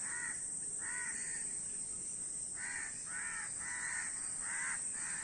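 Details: Gathered crows give clear, raspy caws in pairs and runs, pausing about a second midway before calling faster again. A constant high-pitched hiss is heard throughout.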